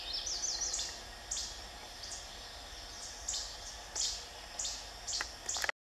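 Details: Least Flycatcher at Ouray NWR, 31 May 2016, gives sharp, high, clipped call notes, a quick run at first, then single notes every half second to a second, over a steady background hiss.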